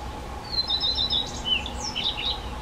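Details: Black redstart nestlings calling; thin, high wavering cheeps and trilled squeaks in a loose sequence over steady low background hum and noise.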